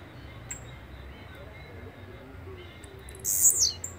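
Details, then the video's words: Blue-black grassquit song heard near the end: a short buzzy high burst dipping in pitch, after several seconds of quiet background with a faint thin note. "Canto de Chirrio (Volatinia jacarina)"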